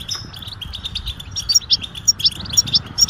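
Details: Goldfinch mating calls said to wake a silent male into song: scattered high chirps and sharp ringing pips, a few loud bright notes standing out near the end, with a steady low hum beneath.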